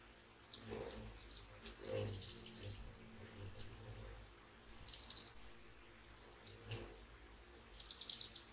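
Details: Early-morning hummingbirds gathering to feed at sunrise beside a babbling fountain and birdbath; clusters of sharp, very high-pitched squeaky chirps come in short rapid volleys every second or few seconds, over a faint low background.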